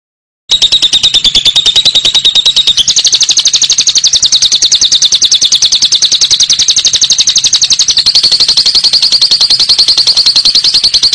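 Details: Lovebird giving its long ngekek trill: a fast, unbroken, high chattering rattle held for the whole stretch, with the pitch stepping slightly upward near the third second and again late on.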